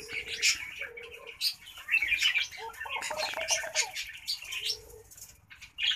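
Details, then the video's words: Laughing (Senegal) dove cooing: soft, low, bubbling coos in short phrases about a second apart, under bright, busy chirping from other small birds. "LAUGHING DOVE / SENEGAL DOVE COOING SOUND"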